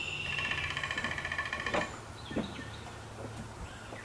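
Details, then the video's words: On terraced farmland in Appalachia, a male downy woodpecker drums on an aged black walnut, a quick roll fading after nearly two seconds, followed by scattered knocks and soft bird notes over low rumble. "Downy Woodpecker Drumming on Black Walnut"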